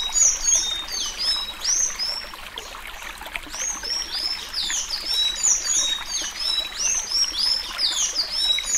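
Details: Sayaca tanager singing the Suí Suí Alagoano style, meant for training young birds: rapid, high-pitched squeaky chirps and slurs packed closely together, with a brief lull, then a renewed busy stream of notes.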